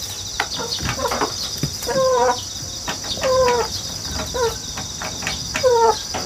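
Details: Rooster hatched at home in an apartment and raised in the countryside, recorded 1 September 2019 with a GoPro and wireless microphone set on a ladder. Short, falling, harmonic calls repeat about five times, with steady chirping crickets and insects underneath.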